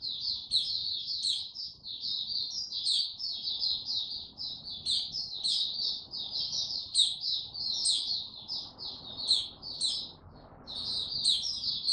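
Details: White-eye male, known locally as Mata Puteh, building confidence before opening into full song on 6 March 2022: a sustained, high, sweet warbling chatter with frequent sharp rising flicks and brief pauses, over steady low background noise.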